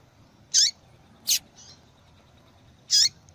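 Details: Female seedeater calling insistently to excite males into singing: three sharp high chips with descending tails and a brief faint note, over quiet background hiss.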